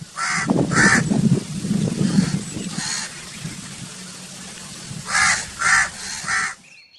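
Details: Harsh crow caws, two close together at the start, one alone near three seconds, then three more in quick succession, over a steady low rumble of background noise.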